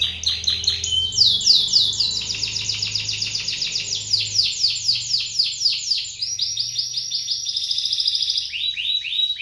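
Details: Canary singing as a lure to prompt other canaries into song: long continuous rolling trills of rapid, repeated high notes, about four per second, shifting pitch between sections with a brief sweeping whistle, over a faint low hum.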